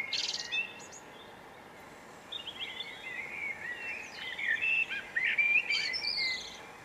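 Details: Hawfinch (Coccothraustes coccothraustes) recorded in Brittany, France: a brief high burst, then a run of thin, sharp, twittering chirps with some squeaky notes, about four a second, over faint background hiss.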